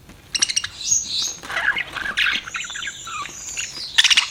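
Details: Pet budgerigar chirping continuously: twittering, warbled notes mixed with a drawn-out buzzy, high tone, ending in a quick run of sharp clicks.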